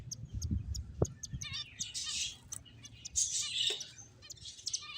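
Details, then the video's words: Finches, playing, chirp in quick, high, overlapping bursts, with soft thumps and low rustling underneath. "Finches Chirping Sounds"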